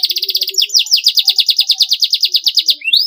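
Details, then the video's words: Masteran song of a canary with a clean, long, prolific voice: a rapid, even trill of high repeated notes, about sixteen pulses, then a brief rising whistle at the end. "MASTERAN KENARI SUARA BERSIH PANJANG GACOR PAGI SIANG MALAM"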